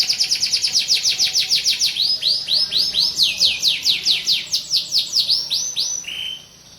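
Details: Canary song used as a training recording to teach canaries to sing and roll: a long run of rapid, evenly repeated high sweeping notes, slowing into separate downward-sliding whistles and ending on a lower held note.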